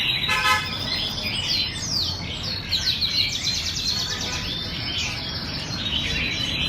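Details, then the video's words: Vietnamese red-whiskered bulbuls rehearsing for a song contest: a burst of stacked chirps, then slurred whistles and quick rattled note runs from several birds at once, against low-level background noise. "Tập Duyệt Chào Mào Đi Thi"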